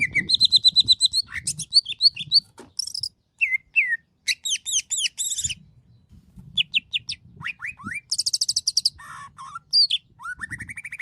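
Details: Lively, varied song of a Greater green leafbird (cucak ijo). High chirps, upslurred whistles and quick trills come in short bursts separated by brief silences, with some high buzzy chatter. Faint low knocks are heard in places.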